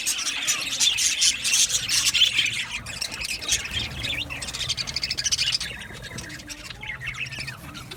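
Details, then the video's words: Male budgerigars, 8 December 2025, chirping loudly in fast repeated notes for the first five seconds, then the chatter thins into softer, sparser twitters. "Beautiful Male Budgies Sounds | Budgies chirping sounds"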